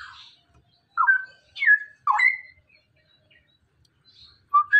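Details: Male Straw-headed Bulbul, a DNA-sexed cage bird, giving its rapid ropel song used to train other birds: a few loud, rich whistled phrases, each dropping then levelling, separated by short pauses.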